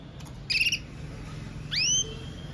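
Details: Red mosaic agate canary, powerful song: a quick pulsed trill followed by a clean whistle that sweeps sharply upward and holds steady for a moment, over low background hum.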